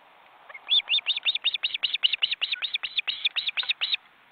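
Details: Osprey family at a nest in an Estonian forest reserve, grown chicks beating their wings but hesitant to fly: a rapid run of about twenty clear chirped whistles packed into three seconds, then quiet.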